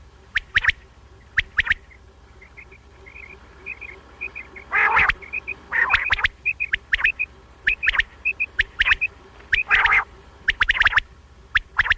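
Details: Batair, or quail, heard in a recording for morning and night hunting: rapid sharp double and triple notes alternate with harsh buzzy bursts, while a series of soft high chirps runs steadily underneath.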